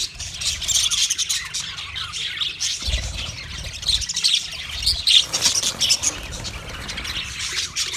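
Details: Budgies on 29 February 2024 chattering in busy, high twittering bursts with occasional squeaky whistles, over intermittent low rumbling background noise.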